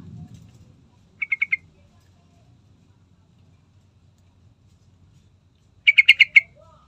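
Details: Yellow-vented bulbul singing as a lure to set other birds singing: a soft rustle at first, then a short run of four clipped notes and later a louder burst of six rapid chattering notes.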